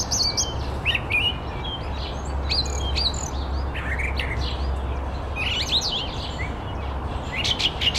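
A brown thrush gives a run of quick chirps and short whistled notes, high and varied, over a steady low rumble of background noise.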